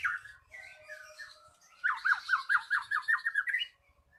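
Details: Lure song of a magpie-robin for stirring a silent bird into singing: a soft warbled opening, then a fast series of about nine loud, even, slurred whistled notes, ending abruptly.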